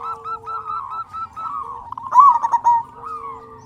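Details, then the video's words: Local zebra doves singing as a lure to make other doves sing: soft, overlapping coos, then one loud burst of quick, clipped notes near the middle. "Perkutut Lokal Gacor Suara Besar Pancingan Burung Perkutut Agar Cepat Bunyi"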